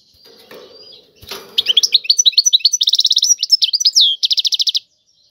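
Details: Faint low rustling opens, then a European goldfinch bursts into tiwawati song: a quick run of upslurred chirps, a fast rattle, a long descending slur and a final rattling trill.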